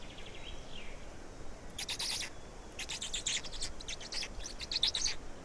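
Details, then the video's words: Black storks in Estonia at feeding time on 16 May 2019; fairly faint, hoarse chattering bursts that grow busier toward the end, with a soft high tone early on. "Estonian Black Storks - Feeding for two"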